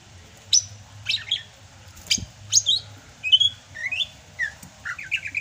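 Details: Rainy-season singing by a Sumatran greater green leafbird: sharp high clicks and whistles, then a fast series of slurred, bubbling notes. A soft low hum and one brief thump are in the background.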